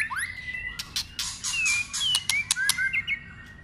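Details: White-rumped shama in contest song training: sparse thin whistles sliding high, interrupted by bursts of sharp clicking snaps.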